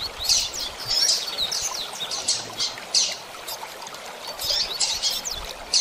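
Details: Double-collared seedeater singing: rapid, high, thin chirps and short trills come in dense overlapping bursts about every half second, with a soft hiss underneath.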